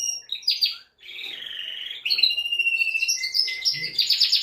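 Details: Singing male canary rousing a female to mate, giving a short high note, a warbling rolled trill, a steady sustained trill, then rising bright whistles and fast chattering notes.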